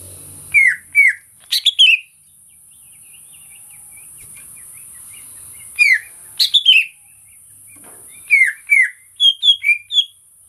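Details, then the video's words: Song of a greater green leafbird meant to provoke other birds into singing: clusters of sharp, down-slurred whistles and a brief harsh burst, separated by pauses of several seconds, with quiet background hiss. "PANCINGAN BURUNG CUCAK IJO || TERAPI CUCAK IJO BAHAN"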